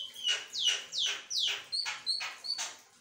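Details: Asian pied starling singing nonstop in a chattering stream: repeated harsh descending notes and sharp whistled accents, about seven bursts in three seconds.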